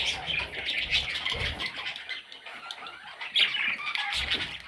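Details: Budgerigar chicks squawk in a softer, rasping chatter of high chirps, with one sharper louder squeak near the end and light rustling.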